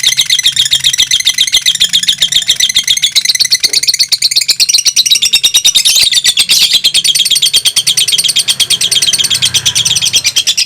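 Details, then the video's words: Two caged fighter lovebirds, the mentil variety, in close competition, singing over two minutes: a dense, continuous rapid chattering trill, high and buzzy, rising briefly in pitch midway. "2 LOVE BIRD FIGHTER MENTIL DURASI TEMBUS 2 MENIT"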